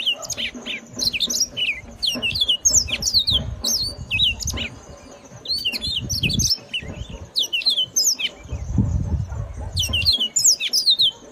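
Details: Loud, characteristic song of a yellow-fronted canary: quick phrases of bright, high chirps and rising-falling whistled notes, repeated in bursts with brief pauses. Low thuds and background rumble sound intermittently.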